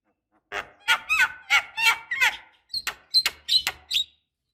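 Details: Javan myna, female calling to a male so he starts singing: grating, wavering harsh notes in an even run, then sharper, higher squeaks with a whistled tone, roughly three per second.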